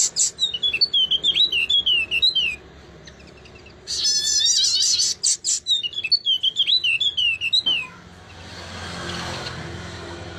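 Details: Bird uttering rapid, high, slurred chirps in lively bursts, with a short loud burst of mixed twittering midway and a rushing hiss at the end.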